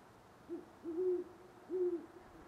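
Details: Great horned owl calling near sunrise on November 25, 2011, in Parker, Colorado: one short low hoot followed by two longer, level hoots, each a deep steady tone against a quiet background.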